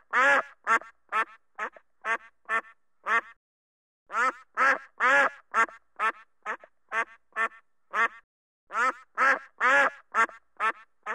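A duck gives loud, harsh, nasal quacks in quick runs of about two per second, broken by two short silent pauses; nothing else is heard.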